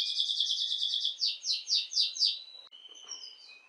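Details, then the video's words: Canary song used to stimulate hens for mating: a dense, rapid high trill gives way to five slower, loud falling swoops about a quarter second apart, then softer thin whistles. "تغريد كناري"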